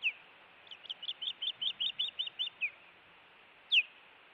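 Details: Osprey at a nest in Montana, reacting to an intruder on 16 June 2017 near midnight: a rapid run of about ten high, slurred whistled chirps, then a single louder upslurred whistle after a pause.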